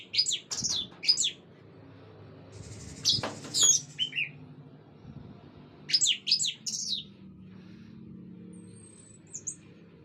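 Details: Orange-headed thrush from Indonesia, swaying while singing: quick clusters of thin, high twittering notes, with one phrase repeated about six seconds later, a scratchy noise midway and a faint high whistle near the end.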